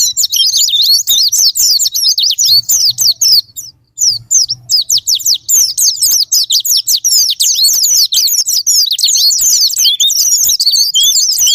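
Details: Japanese white-eye, a lure to get other birds singing: long runs of high, quick, chattering twitters, a short quieter gap near the start with low humming, then dense nonstop warbling to the end.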